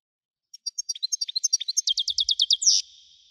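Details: European goldfinch singing wedani style, starting softly and building into a fast, regular series of bright chirps, then a loud buzzy ending that trails off.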